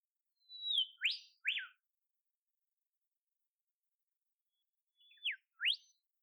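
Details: Wild olive whistler in temperate Australian forest giving soft whistled phrases: a long level note dropping into a steep upward sweep and a peaked slur, repeated after a pause as a high level note, downslur and rising sweep.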